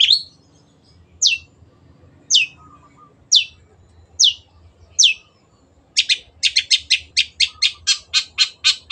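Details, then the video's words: Long-tailed shrike (cendet) song in 'gacor' style. Single sharp downslurred notes come about once a second. After five seconds they switch to a rapid series of about twelve clipped repeated notes. A faint low whistle is heard once. "MASTERAN BURUNG CENDET GACOR"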